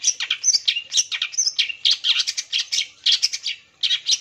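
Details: Long-tailed shrike singing hard, used as a lure to get other shrikes to answer at once: fast, dense chattering of sharp high chips, short whistled slurs and scratchy notes in tight bursts, with no other sounds.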